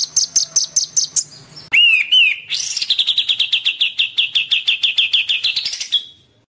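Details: Excited white-rumped shama: quick high chips, a jerky warbled phrase, then a long even run of mid-high whistled notes rising at the end.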